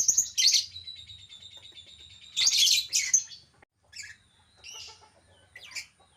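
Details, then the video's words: Chattering albino lovebird in captivity: loud scratchy high chirps, a drawn-out thin whistled tone, then softer scattered squeaks, over a faint low hum. "burung lovebird albino yang jadi primadona"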